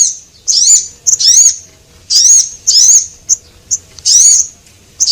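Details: Male and female Javan munias on a lure track for small birds: shrill, bending chirps alternating with short sharp ticks, in an uneven rhythm roughly twice a second.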